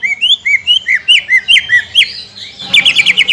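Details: Greater green leafbird giving a quick series of rising and falling whistled notes, about two per second, ending in a dense fast trill; lure sound for provoking song.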